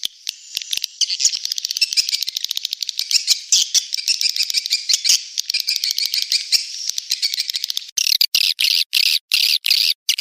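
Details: Rapid ticking swiftlet clicks merging into a fast buzzy rattle, then clearer separated chirps near the end; a Manuk Ireng 01 lure sound for attracting swiftlets to a swiftlet house.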